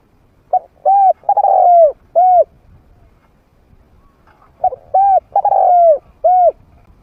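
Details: Trained spotted dove with a medium-pitched voice, used as a lure so wild doves come in to fight. Two full phrases of short note, coo, long rolling coo and last coo, separated by about two seconds of quiet.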